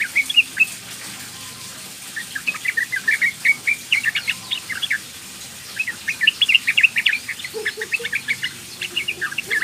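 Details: Sooty-headed bulbul, a young female calling males: two long runs of lively, bubbly chirps, with a short pause between them, over faint background hum.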